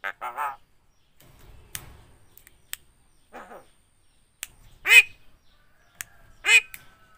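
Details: Javan myna copying human speech and coughing: a short harmonic phrase, then scattered sharp clicks, a soft mumble, and two loud, strained, voice-like calls about one and a half seconds apart.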